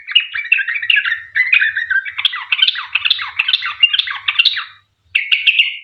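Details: Sooty-headed bulbul song, described as chatty with long rapid trills, used as a lure to prompt other bulbuls to sing: dense run of chirpy, warbled phrases with quick slurred notes, a brief pause, then more bright chattering.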